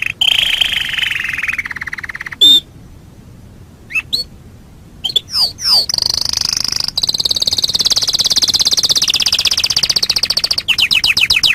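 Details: Canary master song meant for teaching other birds, with long rapid trills, a pause broken by a few sweeping whistled notes, then another long, dense, high rolling trill that changes pace near the end.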